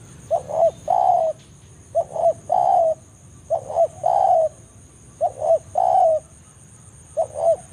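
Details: Spotted dove in forest, a lure call used to draw rival doves to a trapping site: two short clipped notes then a longer falling coo, phrase repeated about every 1.7 seconds over a steady high whine.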